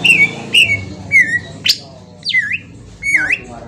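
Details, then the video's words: Green leafbird song played as a lure to provoke a reply: drawn-out whistled notes, some dipping and rising in V-shaped slurs, separated by short pauses, over a faint low hum. "pancingan cucak ijo auto nyaut bunyi langsung"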